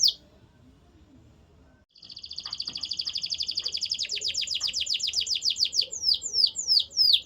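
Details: Canary singing after a short quiet start: a long rapid rolling trill that gradually slows into separate descending whistled notes near the end.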